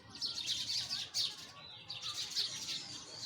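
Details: Sparrows chirping outdoors: bright, high twittering notes in bursts, with busy overlapping chirps and a soft low background hum.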